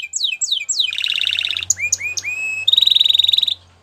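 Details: Canary in full song: falling sweeps, a long buzzy trill, a few upward-curving whistles, then a very fast pulsing trill; a faint low hum runs underneath.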